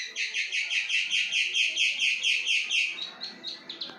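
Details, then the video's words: Plain prinia in loud, strong song: a rhythmic string of rich, buzzy double-toned notes about three per second, fading into softer, scattered notes at the end. "CIBLEK SAWAH BRENN 2 MENIT"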